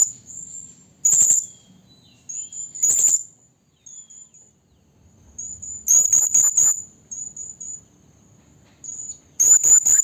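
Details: Blue-crowned hanging parrot, described as a female calling a male, used as a trapping lure. Very high, thin sustained whistles broken by sharp shrill bursts near one and three seconds, a rapid run of four near six seconds, and another burst at the end.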